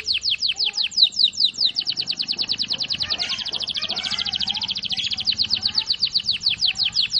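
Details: Canary in a continuous rolling song: fast, strongly pulsed high notes sliding downward, repeated in a steady rhythm across the full seven seconds, with a faint low hum underneath.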